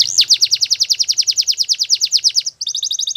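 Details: Belgian canary singing a training song: a long run of fast, high, downward-sweeping whistled notes, about eight a second, then a short break and a quicker, tighter trill of sharp repeated notes.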